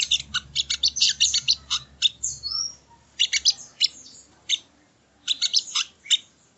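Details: Training-audio song of the sogon (sogo ontong): bursts of dry, high chattering notes in tight clusters, broken by pauses of about a second, with a faint low hum in the first half.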